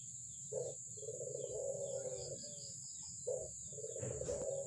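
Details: Albino Barbary dove; low, steady purring coos, a short note followed by a long rolling coo, repeated twice, over a constant high electrical whine and background hum.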